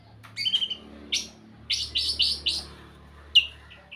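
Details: White-rumped shama singing sweetly: short bursts of chirpy, bright notes in clusters, a quick run of four rising slurs, then a sharp note and two soft trailing chirps.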